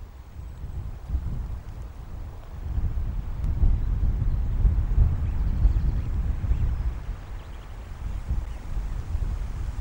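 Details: Steady low wind rumble outdoors, with no animal voice heard.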